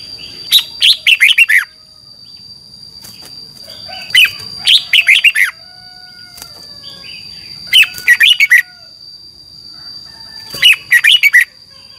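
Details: Red-whiskered bulbul kept in a cage in Thailand, 'double' style song for training birds. Four lively phrases of four to five rapid, falling, whistled notes roughly every three seconds, over a constant high whine.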